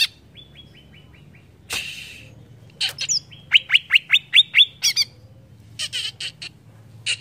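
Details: Greater green leafbird song used to stir up other leafbirds: a soft falling series of thin notes, a rasp, then a run of seven loud downslurred whistles followed by scratchy chatter bursts.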